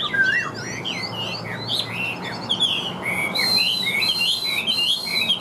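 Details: Caged Chinese hwamei in full song: a rich, fast medley of looping whistles and slurred phrases, shifting midway into higher, sustained arching whistles, loud and continuous over faint room hum.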